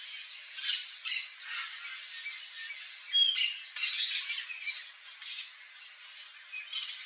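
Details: Yellow-faced Parrot in its natural Cerrado habitat in Brazil, visiting a backyard: scattered harsh squawks and rasping notes, several loud peaks with quieter chatter between, plus a couple of brief thin whistles.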